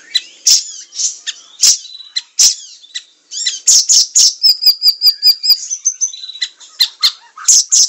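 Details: Vigorous siri-siri song for tutoring caged songbirds: scratchy high notes, then a run of about eight clear, evenly spaced piping notes, followed by further sharp chirps.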